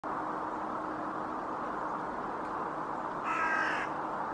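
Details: Hooded crow (Corvus cornix) foraging on sea ice, Helsinki, Finland, January 2024, other crows calling in background: one harsh, rasping caw of about half a second near the end, over steady wind-like rushing.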